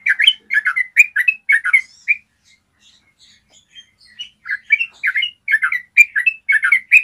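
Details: Yellow-vented bulbul giving long clear trilled song, a tutor recording for training birds: dense bubbly chattering phrases, a two-second pause with faint soft notes, then lively chattering again.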